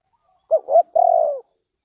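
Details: Single spotted dove phrase from Ninh Thuận, Vietnam, recorded for bird trapping: two short soft coos run into a long sustained coo that slides downward at its close, with clear silence before and after.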